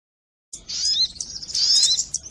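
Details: Crimson sunbird (sogon) calls used as a lure for catching birds: after half a second of silence, a loud, continuous, very high twittering of thin chirps and rapid whistled slurs, with no other sounds.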